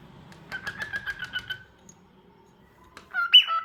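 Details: Short repeated chirps from a cockatiel in a rapid series, a pause, then a loud squawking whistle at the end.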